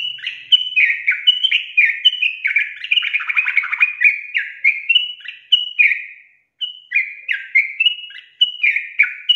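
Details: Sooty-headed bulbul, song used to get lazy birds going: a long, energetic series of chattering, warbled whistles with rough buzzy notes in the middle, a brief pause, then more swooping phrases.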